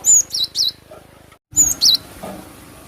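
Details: Cinereous tit, called glatik batu, giving a lure song to attract birds: a long high whistle followed by two wavering slurred notes, a brief silence, then the same phrase again.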